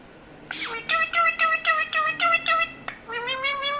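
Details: A parrot, waiting for its owner to speak, starts with a sharp squawk, then utters a string of rhythmic, nasal, voice-like syllables and a rising drawn-out note at the end.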